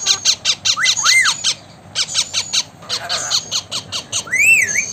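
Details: Talking blue Indian ringneck parakeet: a loud dense series of raspy squawks interleaved with rising-and-falling whistled arches, a short pause, then more chattering and a final swooping whistle.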